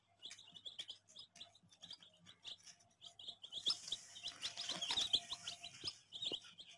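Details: Soft, fairly distant chorus of baby chicks, countless tiny high peeps running together steadily, growing busier and louder in the second half.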